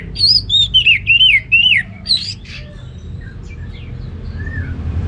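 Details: Orange-headed thrush in ngeplong gacor style delivering a lively phrase of clear, slurred whistles, rising then falling, several in quick succession, followed by scattered softer notes.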